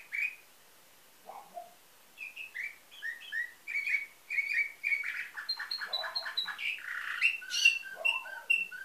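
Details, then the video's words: Bulgarian-bred canary from Varna performing nightingale-type song; varied phrases of slurred chirps, a rising series of high whistles, deep rolling notes and steadily repeated pure tones near the end. "Bülbül ötümlü kanarya , canary - Nightingale"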